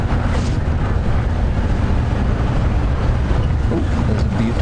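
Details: A loud, deep vehicle engine rumble fills the scene throughout, with no animal calls standing out.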